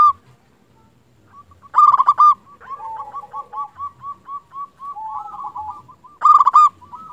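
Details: A local zebra dove calls to entice other zebra doves to reply and to excite quiet birds. Two loud rolling bursts of coos frame a steady chain of soft, bubbling notes from a second dove.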